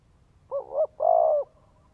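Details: Spotted dove in Vietnam cooing to stimulate a male: one low mellow phrase of two short linked coos followed by a longer, steady drawn-out croo, in a quiet background.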